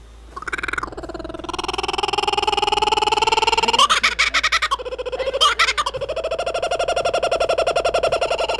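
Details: Laughing kookaburra, an Australian bird, giving its laughing song: rising hooting notes building into rapid, harsh, rhythmic cackling bursts with rich harmonics, about four per second, loud and close.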